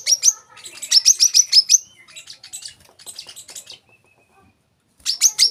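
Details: Olive-backed sunbird song, recorded as masteran training audio for caged birds: rapid high, thin trills and chips in quick bursts, a brief pause, then another sharp trilled burst.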